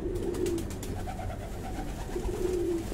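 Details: Domestic fancy pigeons on a breeding farm: two separate deep, gently wavering coos, one at the start and one near the end, with a quiet humming background between them.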